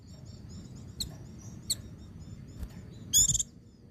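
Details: White-eye 'ngecir' song joined to 'ngalas' phrases, used to stimulate other white-eyes: a few sharp high chips, then a loud rapid buzzy trill near the end, above soft steady twittering and low noise.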